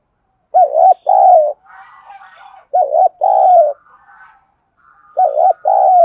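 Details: Spotted dove in the 'giọng Thổ' voice, calling, urging and cooing with an answering decoy bird. Three loud two-part coo phrases, with softer, slightly higher cooing murmurs in the gaps.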